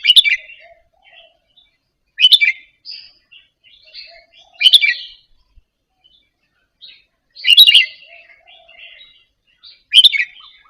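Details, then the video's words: Caged Indonesian-type red-whiskered bulbul quietly rehearsing a doubled-phrase song. Five loud, clear chirped phrases arrive roughly every two and a half seconds, with soft chattering notes between them. "นกกรงหัวจุกอินโดหัดเบิ้ลปากเบาๆ เปิดกระตุ้นนกคึก นกร้องตาม"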